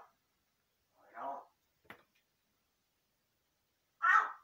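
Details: Large-billed crow imitating a human voice while talking to itself: two short, raspy, voice-like syllables a few seconds apart, with a faint click between, in a quiet indoor space.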